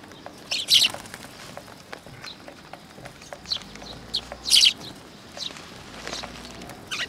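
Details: Eurasian tree sparrows coming to be fed at a Tenmangu shrine in August 2022. Only a few loud, isolated chirps stand out, spaced several seconds apart, over a faint low hum.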